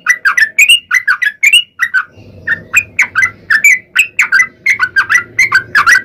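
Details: Yellow-vented bulbul song meant to make other bulbuls call back. A steady stream of separate bright, slurred notes sounds at about three per second, with some rising at the end.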